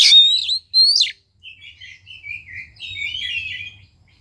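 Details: Oriental magpie-robin song meant to provoke a reluctant bird into singing: two loud, swooping high whistles, then softer warbled and twittering phrases that trail off, with a faint low hum beneath.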